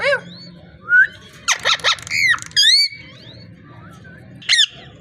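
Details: Talking parrot making a rapid run of varied sounds: short harmonic squawks, a rising whistle, several broad speech-like syllables, then bright upward-sweeping chirps and a final sharp call, indoors with a low steady hum behind.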